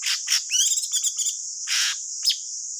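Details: Thanh tước bird singing, a song used as a lure for trapping: sharp high chirps and short twittering phrases with a brief scratchy burst, over a steady high insect-like hiss.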